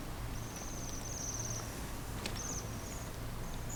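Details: Small 'chiri chiri' calls of a Bohemian waxwing among remaining snow at Senjogahara in Okunikko, Japan. High, buzzy trills come in short bursts, some drawn out, against a steady hiss of background noise.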